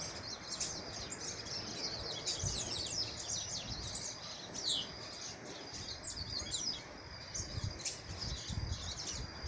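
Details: Chestnut-capped blackbird in nature, giving a busy stream of high chirps, sharp tweets and thin sustained whistled notes that repeat over several seconds, with a constant background hiss.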